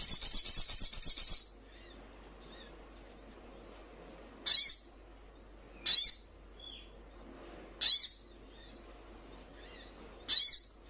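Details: Olive-backed sunbird training recording meant to make caged birds answer: a quick, high, buzzing trill opens, followed by four sharp, high chip notes spaced one and a half to two seconds apart.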